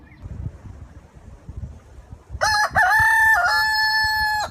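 A rooster gives one loud, ringing crow after about two quiet seconds: a few broken opening notes, then a long, steady, strained cry that cuts off sharply.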